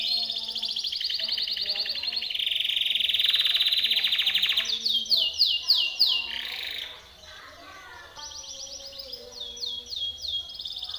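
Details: Timbrado canary training song: a long buzzing trill, then sharp falling sweeps, a brief quiet pause, and renewed clipped notes and trills.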